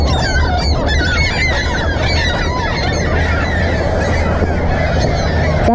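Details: A crowd of baby ring-billed gulls, among more than 170 chicks rescued after jumping from a hot roof, produce dense overlapping downward-slurred calls, many birds at once, over low-pitched mechanical or wind noise.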